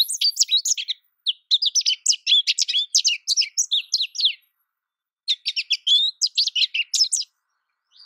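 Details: An American goldfinch's jumbled twittering song in two bursts of rapid, high chattering chirps and slurred notes, split by a second of silence, then a third phrase just starting.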